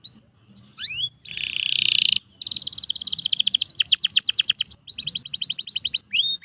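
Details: Canary singing for training other canaries: a few rising notes, a harsh buzzy burst, then long rapid trills of sharp repeated notes separated by short pauses.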